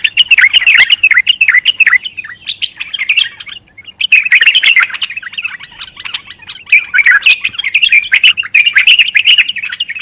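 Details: Bulbul singing: a dense, rapid stream of bright chirps and warbled notes, some repeated quickly, broken by a short pause near four seconds, with faint low rumble underneath.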